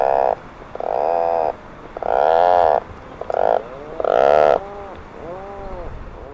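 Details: Atlantic Puffin giving deep, rasping, drawn-out groans in bursts about a second long, like a revving chainsaw or old motorcycle, several in a row; a communication call made by both sexes.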